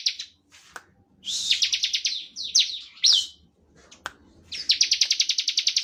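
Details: Bar-winged prinia in steady nonstop ngebren singing, used as a lure to provoke other prinias into song: short chirps and sweeping notes, then high, buzzy bursts that end in a fast, evenly pulsed trill.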